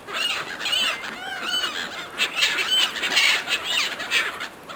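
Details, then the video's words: Seagulls squabbling over food thrown to them make repeated nasal, arched squeals, often paired in quick succession, with louder overlapping bursts in the second half and a noisy background. "Seagulls fighting over food, Seagulls calling"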